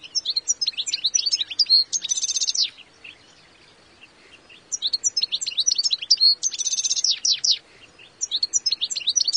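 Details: European goldfinch in the wild repeating a twittering phrase with a buzzy rattling trill in the middle, sung twice with a pause, then starting again.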